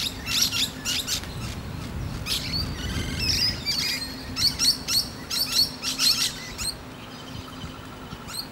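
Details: A musk lorikeet resting on a tree branch and chatting with other birds: shrill, metallic screeches in quick irregular bursts, with several birds chattering over a low steady hum.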